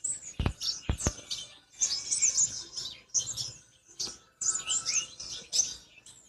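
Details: Black-winged flycatcher-shrike in natural voice, giving high thin chirping phrases in short separated bursts, opened by a few sharp clicks.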